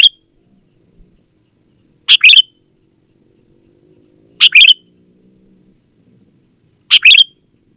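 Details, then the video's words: Lively Sooty-headed bulbul song, a lure to prompt reluctant garden and caged bulbuls to answer: four short, bright, chirping two-note phrases spaced about two and a half seconds apart, faint hum between. "Suara Burung KUTILANG GACOR Untuk Pancingan Ajaran Pikat BURUNG KUTILANG Malas Bunyi di Kebon"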